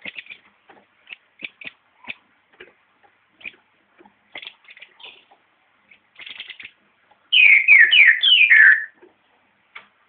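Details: Green-headed tanager singing: scattered short, high chirps, then near the end two quick bursts of sliding, descending high notes strung close together.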